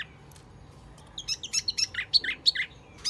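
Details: Wambi mini bird lure call, used to draw birds in: a quiet start, then a quick string of high, chirpy notes from about 1.2 seconds, coming in small clusters with short gaps.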